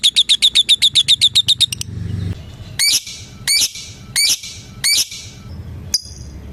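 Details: Lovebird calling a rival: a short fast trill of shrill notes, then a pause and four separate harsh, loud squawks spaced under a second apart, ending with one thin chirp.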